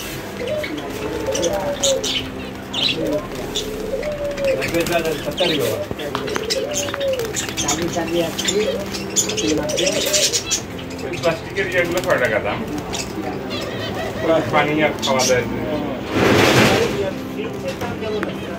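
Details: Zebra finches (Taeniopygia guttata) singing in a crowded breeding aviary: nasal, trumpet-like beeps and quick buzzy phrases.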